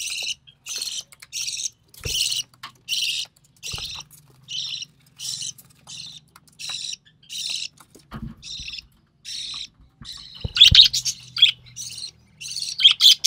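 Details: Young recessive pied budgie, born early June 2020, being fed by its mother, gives a long series of short scratchy rasps, uneven in spacing, growing louder and more crowded towards the end.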